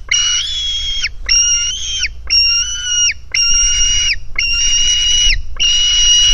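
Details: Hungry White-tailed Eagle chick begging at the nest in Finland on 4 July 2018, recorded by a live nest camera; six long, high, harmonic wailing whistles, each about a second, repeated at a steady rhythm with a faint low rumble beneath.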